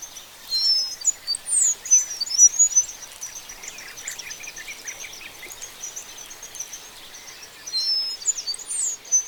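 Oriole Finch giving very high, thin, squeaky notes in quick twittering bursts, busiest early on and again near the end, over a steady hiss of background noise.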